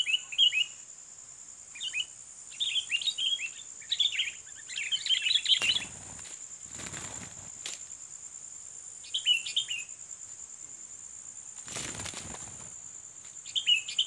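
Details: Sooty-headed bulbul, a combative bird being challenged by luring: scattered phrases of bright chirps building to a dense burst, interrupted by sharp knocks, then sparse chirps again, with a continuous high insect drone.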